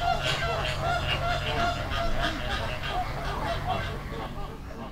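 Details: Flamingo flock on a river in the Dominican Republic giving a continuous din of honking, gabbling calls from many birds over constant low-frequency background rumble.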